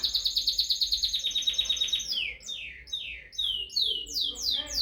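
A canary sings a fast, high rolling trill of about eight notes a second, then switches to a run of bright, down-slurred whistles repeated in quick succession.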